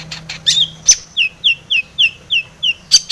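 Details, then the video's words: Long-tailed shrike singing as a lure to trigger singing: harsh opening notes, then a steady run of short downslurred whistles roughly every quarter second, ending in two rasping bursts. "SUARA cendet gacor ATATCLETAT pancingan cendet agar bunyi emosi JADI burung pentet gacor full isian"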